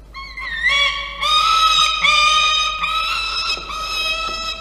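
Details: Five-week-old female Peregrine falcon nestling on a FalconCam at 5:47 pm, 7 November 2023, nearly out of down: a long, high, nasal wail in several drawn-out phrases, each slightly rising and held steady.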